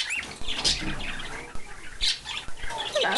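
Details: Two hand-reared, talkative cockatiels call while wanting to be let out to play: busy chirps, short rising and falling whistled sweeps and scratchy notes in quick succession, with a few soft clicks and rustles.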